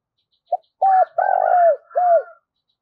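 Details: A spotted dove used as a decoy coos to lure wild doves. One quick hoarse phrase: a short pip, a clipped coo, a long rolling coo and a final falling coo, with faint higher tones overlaid.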